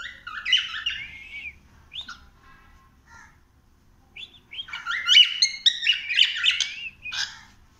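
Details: Cockatiel exploring a house, giving bright chirps and warbled whistles in two bursts separated by a short quiet gap, the second burst busier and louder.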